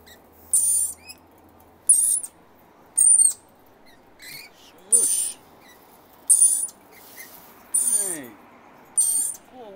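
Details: A visiting family of wild rainbow lorikeets, adults bringing their young: harsh, high screeching bursts about every one to one and a half seconds, with a few softer chirps between them.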